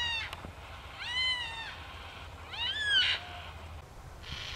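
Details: Yellow-tailed black cockatoos in a group at Royal National Park near Heathcote oval utter two drawn-out, arched, harmonic wails roughly a second and a half apart, with a brief harsh note and a click nearby.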